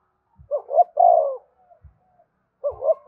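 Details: Spotted dove giving its 'gáy thúc' song, used to set captive birds calling along: two short rising coos, then a longer falling coo, with a second phrase starting after a brief pause.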